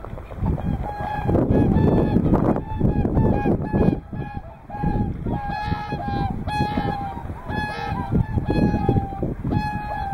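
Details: At Hyoko, Niigata, whooper swans alongside tundra swans call loudly: dense bursts of honking from many birds, then long, level bugled notes repeated about three times a second, over constant low background noise.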